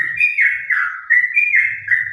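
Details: Yellow-vented bulbul (trucukan) kept as a cage bird, singing continuous ropel-style song: smooth whistled phrases sliding up and down in a steady unbroken stream, with a soft low hum underneath.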